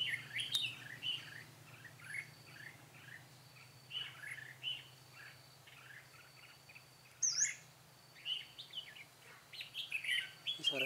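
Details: A red-whiskered bulbul used as a decoy sings during trapping on 13 March 2017; scattered sweet whistled chirps and short warbles with pauses, a steady low hum beneath, and a sharp higher note near the middle.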